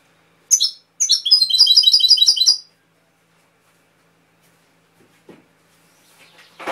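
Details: European goldfinch (jilguero) from Málaga, labelled Cobia, singing a short burst of fast, bright, twittering trilled notes repeated in quick series, then silence with a few faint clicks.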